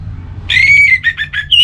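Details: Brief orange-headed thrush phrase in relaxed song: one long, bright whistle sliding slightly upward, followed by three short, burry whistled notes and a final high clear note.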